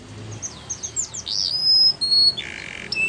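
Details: Canary song heard over a noisy background: looping whistled notes, a long steady high whistle, then a lower buzzy tone and a short clear note.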